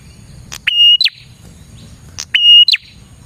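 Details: Singing prinia, recorded as lure material: a click, then an upswept note held as a flat whistle and closed by a double downward chip, given twice over a low rumble.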